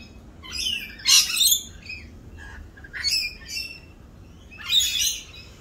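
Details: Mating-season rainbow lorikeets, noisier than usual as they perform a mating dance, give three loud bursts of harsh, grating screeches separated by quieter pauses with softer chatter.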